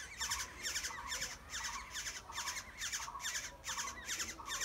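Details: Wild Black-hooded oriole nestlings begging while parents feed them, producing rapid, rasping squawk bursts about twice a second in an insistent, steady series.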